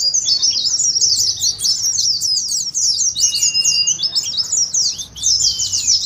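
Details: Oriental white-eye song in the fast ngeriwik style, played to lure kept birds into singing, as in a contest. Packed, high-pitched chirping flows steadily, with one brief rising whistle below.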